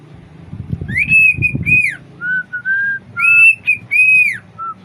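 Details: A six-month-old pet cockatiel sings a string of clear whistled phrases, some high and arched, others lower and steady.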